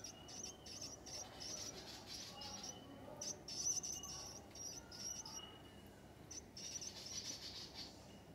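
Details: Begging from a nest of young willie wagtails being fed: short bursts of high, sibilant, buzzy chirping come and go in clusters, with brief quiet gaps between them and a faint, steady low hum throughout.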